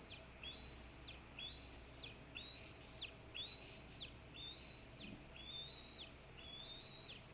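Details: Eagle fledgling calling from near the nest while an adult feeds on what looks like a squirrel, Maine, 4 pm, July 9 2014; seven thin, flat-topped whistled calls, about one per second, over steady background hiss.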